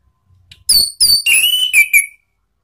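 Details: Orange-headed thrush singing ngeplong as a training lure for caged birds: a short phrase of clear high whistles, then a sustained slightly wavering whistled note that drops at the end.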